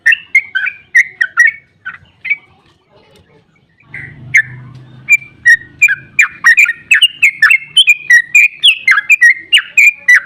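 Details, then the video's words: Trucukan, the sooty-headed bulbul, in long ropel song meant to prompt other bulbuls to answer: clear whistled phrases, then a brief pause with a low rumble, then a fast burst of sliding chirpy notes running to the end. "Trucukan GACOR ROPEL PANJANG EMOSI buat pancingan trucuk agar cepat bunyi JADIKAN burung NYAUT giras"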